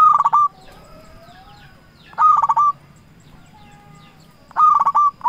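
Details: Lure song of a local zebra dove, meant to rouse rival doves into calling back: three brief, rapid rolling coo bursts about two seconds apart, with faint thin whistles from other birds in the gaps.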